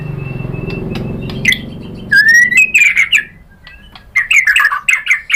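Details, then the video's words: White-rumped shama song used to provoke other birds into singing: after a hum-filled start, loud rising whistles and rapid chattering phrases burst out, a short pause, then more sharp warbled notes. "KICAUAN MURAI BATU bikin NYAUT ikut BUNYI jadi GACOR BONGKAR MATERI ISIAN ¦ PANCINGAN MURAI"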